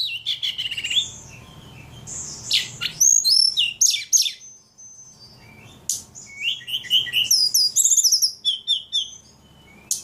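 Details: Highly vocal ledekan bird pouring out a fast medley of high, sharp chirps, rising and falling whistled slurs and rapid buzzy rattles in bursts, with a quiet gap midway.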